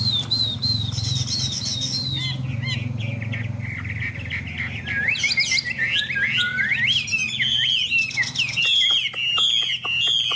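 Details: A tame Chinese hwamei in display sings in the rain: high repeated whistles, then a rich jumble of looping, rapidly changing whistled notes and a few sharp clicks, over a low steady hum.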